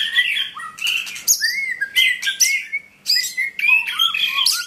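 A White-rumped shama sings rich, varied phrases of clear whistles and sweeping notes, with sharp chips and short buzzy squeaks mixed in and barely a pause between them.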